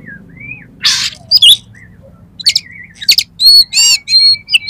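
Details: Kacer, the oriental magpie-robin, singing loud 'miuntah'-filled material for luring contest birds: a soft slurred whistle, harsh rasping bursts, then ringing high whistles and grating notes in quick succession.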